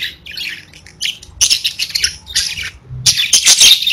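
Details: Several pet budgies chatter in quick bursts, harsh scratchy squawks mixed with bright high chirps, the loudest burst arriving near the end; kept parakeets singing and chirping at home.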